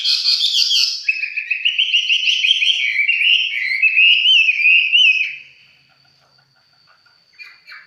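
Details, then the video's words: A 'mộc chiến' red-whiskered bulbul singing casually at close range delivers a long rippling warble of fast, wavering whistled notes for about five seconds, then falls almost silent with a faint final chirp. "Cận cảnh mộc chiến., hót chơi"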